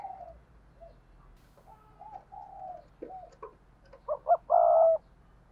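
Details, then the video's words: Decoy spotted dove cooing in the 2022 'thúc' and 'gáy gọi' calling style: soft, low wavering coos, then a loud closing phrase of two short sharp notes and one long, steady, drawn-out coo. "Chim Cu Mồi Thúc Và Gáy Gọi// tiếng cu mồi thúc bổi mới nhất 2022"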